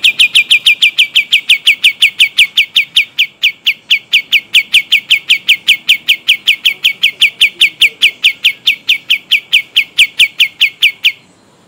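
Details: Pied triller from Kalimantan in a long rolling song: an unbroken run of about eleven seconds of sharp, downslurred whistled notes, roughly five a second, steady and evenly paced over a quiet background.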